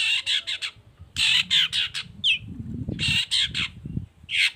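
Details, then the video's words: Long-tailed shrike, Baham type, singing as a lure for other shrikes. Grouped harsh, buzzy squawks alternate with one sharp downslurred whistle, over a low rumbling background. "CENDET GACOR❗PANCINGAN CENDET BAHAM EFEKTIF BUNYI SANGAT COCOK BUAT CENDET LAINYA AGAR IKUTAN BUNYI"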